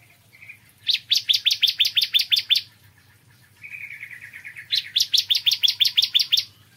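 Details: Morning song of a bar-winged prinia: a soft buzzy lead-in followed by a fast series of bright, clipped notes, then a longer buzzy trill opening into another rapid run of sharp repeated notes; steady low hum behind.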